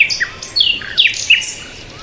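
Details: Bird chirping: a rapid string of sharp, downslurred high notes, about four clear chirps in quick succession, then fading to quiet hiss.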